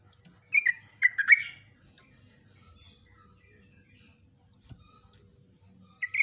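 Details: Trucukan, the yellow-vented bulbul, giving ropelan song with nguklik and ngecruk phrases meant for tutoring caged bulbuls; a quick cluster of three bright downslurred chirps, a long near-silent pause with faint notes, then another chirp.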